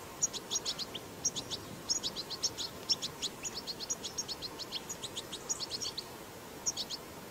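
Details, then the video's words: Wild European goldfinch song, recorded outdoors and used to prompt goldfinches to sing: rapid bright high twittering and tinkling notes in quick clustered bursts, steady over a faint hiss of background noise. "أقوى بتبتة حسون"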